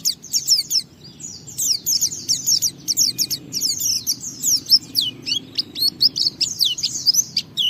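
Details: White-eye singing continuously to provoke other white-eyes into song: dense, high-pitched twittering and short slurred notes in quick succession with barely any pauses.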